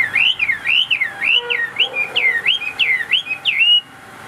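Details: Chinese hwamei in a cage repeats a clear, wavering whistle that swings up and down about eight times in smooth loops, then falls silent.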